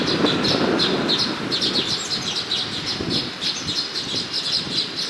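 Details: Several Baya weaver birds chatter together outside a house in Hyderabad, producing a dense, overlapping stream of high, scratchy chirps and twitters over a low rumble of background noise.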